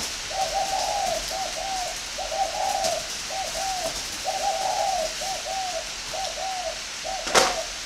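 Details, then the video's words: Farm-bred spotted dove from northern Vietnam delivering its cooing phrase again and again: groups of two or three mellow, wavering hoots separated by brief pauses, with a sharp click near the end over hissy background. "chim cu gáy hay miền bắc"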